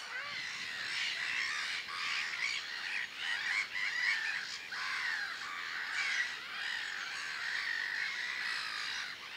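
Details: Black-headed gulls at Marais d'Harchies, Belgium, in April 2013, calling in a dense chorus, harsh grating squawks and kee-arr cries overlapping continuously from many birds.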